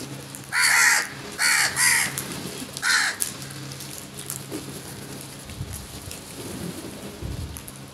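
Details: Crows swarming food in a huge group; four hoarse caws come in quick succession over the first three seconds, then quieter rustling and low rumbling noises follow.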